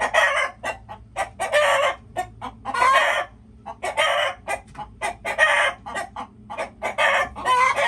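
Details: Noisy chickens, near-continuous clucking with broad, harsh squawks of about half a second, roughly forty-three bursts a minute at an irregular pace.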